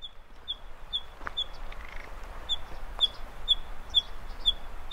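Common nightingale singing a steady run of clear, high whistled notes, about two a second, with a short buzzy phrase and a few clicks over a low background rumble.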